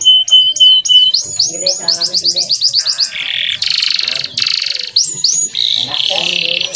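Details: Clear, energetic song of a male canary, used to train juvenile and young canaries to sing. A steady whistled note leads into fast rising sweeps repeated several times a second, then dense buzzy rolls and sharp high trills, with no other sounds.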